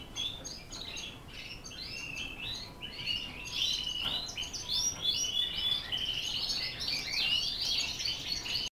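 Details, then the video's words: Border Fancy canary from Holland singing a continuous, rapid, high-pitched warble of chirps, trills and short rolling phrases that grows fuller after the first few seconds, over a faint steady hum. "Kenari Border Fancy Dari Holland"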